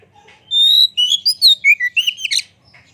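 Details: Vigorous Oriental magpie-robin song with tail fanned, meant to provoke rival magpie-robins to sing: a long clear whistle followed by quick sliding whistled notes, dropping and rising, finishing in a harsh buzzy burst.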